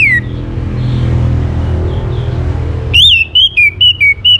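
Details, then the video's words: Orange-headed thrush song meant to set other birds singing: one falling whistle, a quiet gap with low hum, then six ringing whistled notes in steady succession, each a short slur rising or dropping in pitch. "KICAUAN ANIS MERAH UNTUK PANCINGAN AGAR BURUNG IKUT BERKICAU"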